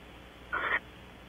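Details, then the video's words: Strange whistle from barn owls at Audubon Starr Ranch, California: a single wheezy, slightly tonal note of about a quarter second, rising a little at the end, over quiet background hum. "strange whistles - Audubon Starr Ranch Barn Owls"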